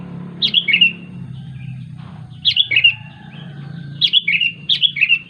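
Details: Sooty-headed bulbul calling companions with lively bursts of rapid, bubbly notes in groups of three or four, repeated in quick succession, over a low background hum.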